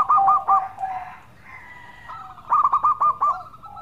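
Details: Melodious song of a local zebra dove: a few quick coos open, then a drawn-out tonal hum, and finally a fast run of about six bright, bouncing coo notes trailing into a softer note.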